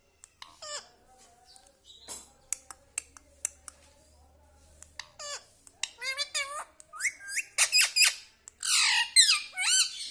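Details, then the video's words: Pet parrot that talks, saying mummy, papa, radhe; scattered clicks and ticks first, then a growing run of high, hooked, squeaky chatter notes and a harsh buzzy burst at the end. "parrot talking mummy ||papa bolne vala Mithu ||radhe vala Mithu"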